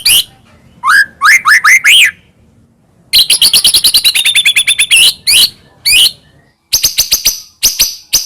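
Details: White-rumped shama of the Medan type, singing constantly with varied phrases, used as a lure to make other shamas sing: rising slurred whistles, then a fast run of sharp repeated buzzy notes and a burst of high ticking chips.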